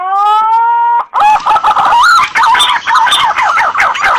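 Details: Green pigeon lure recording, edited and combined from several green pigeon voices, used to call birds in for hunting. A steady whistled tone opens, then dense overlapping warbling whistles rise and fall without pause.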